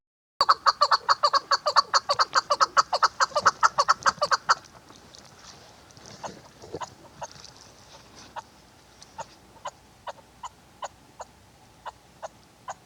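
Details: Female chukar partridge used for hunting, delivering a quick burst of rapid chuck notes for about four seconds, then a quieter, slower string of sharp single clicks spaced about half a second apart.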